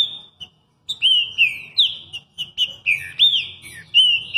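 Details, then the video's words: Green-winged saltator from Rio de Janeiro singing a lot: loud, clear whistled notes in rising and falling slurred phrases, one following another about every half second with almost no pause. "Trinca ferro luxo canta muito"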